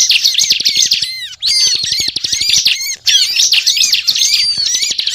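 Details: Bar-winged prinia song, a continuous lively chattering used as a lure for trapping birds: dense, rapid high chirps and twittering trills in bursts with brief pauses, over a steady low rhythmic pulsing.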